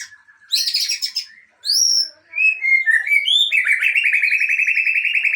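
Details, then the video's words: Aceh white-rumped shama, a kept songbird, showing its isian (fill-in song material): loud high chips, clear down-slurred whistles, a rising run of notes, then a long fast buzzy trill to the end. "Murai Aceh # Bongkar Isian"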